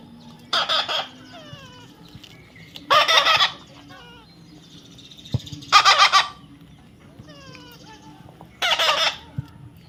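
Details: Young parrot during taming, with loud grating screeches every two to three seconds and faint thin whistled notes sliding down between them.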